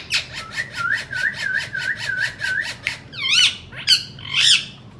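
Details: Indian ringneck parakeets, described as talking and making sounds: a fast run of about a dozen evenly spaced nasal, harmonic notes, then loud rising squawks and screeches.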